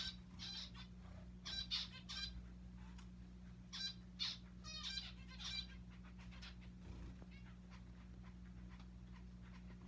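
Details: Pet zebra finches, several birds, playing in a person's hair: short nasal beeping calls with stacked harmonics, given in quick clusters of two to four about every one to two seconds, over a steady low electrical hum.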